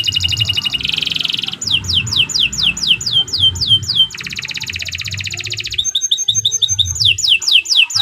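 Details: Canary singing vigorously at length, a song meant as a tutor for other birds: dense buzzy rolls alternate with series of swift falling whistled notes and crisp high trills, nearly without a break. Low background hum.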